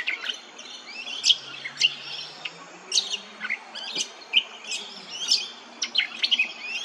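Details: Brown honeyeater at Hervey Bay, Queensland, repeating crisp high chirps and short downslurred whistles every half second or so, with a faint low hum beneath.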